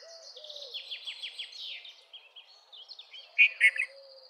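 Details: Red-vented bulbul giving two loud, bubbly notes near the end. Earlier, a rapid series of high, descending chips from another bird dominates, with faint low whistles in the background.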